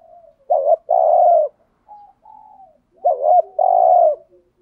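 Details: Spotted dove used as a lure for wild doves gives two low cooing phrases, each a quick wobbling note then a sustained hollow coo, with faint softer coos between them.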